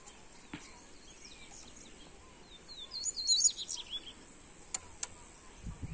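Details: Double-collared seedeater (coleiro) singing in a warm-up recording: a quick burst of thin, high twittering notes around the middle, with faint scattered chirps and a steady background hiss.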